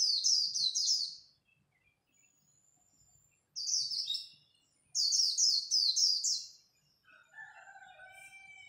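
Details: Japanese white-eye khuyên líu song during a dawn contest: three bursts of piercing, rapidly repeated falling notes, followed by a few lower drawn-out tonal calls near the end.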